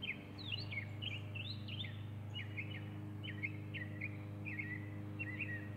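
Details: Northern mockingbird recorded on October 16, singing a run of short, sharp, chirpy phrases with quick up-and-down inflections, each varied and repeated about once per half second over a steady low hum.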